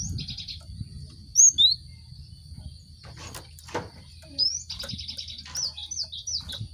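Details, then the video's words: Cinereous tit song used to stimulate caged birds to sing: rapid buzzy trilled phrases of repeated notes, a few sliding whistles, and later short rising notes, over a low rumbling background hum with occasional knocks. "Pancingan gelatik batu untuk merangsang burung ombyokan cepat bunyi"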